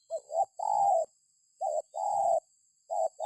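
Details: Spotted dove coos used as a lure to draw calls from other birds: three phrases of a quick two-part note followed by a longer, even, hollow coo, with a thin constant high-pitched hum behind.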